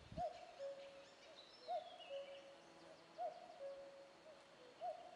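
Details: Common cuckoo calling its two-note cuckoo, a higher first note dropping to a lower flat second note, repeated about every one and a half seconds, fairly distant, with faint higher bird sounds in the background.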